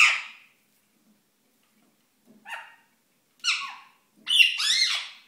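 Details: A pet rose-ringed parakeet in courtship display gives four harsh, screechy squawks over about five seconds, the last a longer, wavering chatter. No other sounds are heard.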